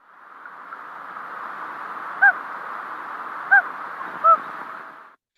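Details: Common Loon hoot: three soft, short, mellow hoots about a second apart over steady hiss; a contact call loons give over short distances between partners or between parents and chicks.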